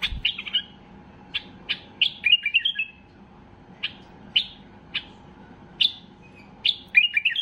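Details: Excited Basra bulbul song, used to push other bulbuls into singing: short liquid warbled phrases between single loud chirps spaced about half a second to a second apart, steady faint hum underneath.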